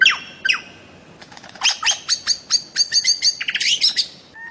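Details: Bird-of-paradise giving two falling whistles, then a fast series of high sharp chips and ticks that speeds into a chattering trill.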